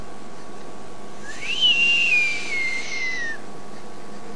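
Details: Mature Verreaux's eagle owl (giant eagle owl) at Djuma on 31 March 2008, uttering a hungry call like a young bird begging food: one long, thin whistle of about two seconds, rising briefly then sliding gradually lower, against light background hiss.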